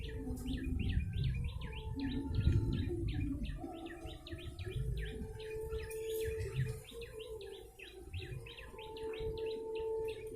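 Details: Rapid, insistent chirping from a yellow-bellied prinia, played to lure birds. Short dropping notes follow one another about three per second. A faint tonal hum and low rumble sit underneath.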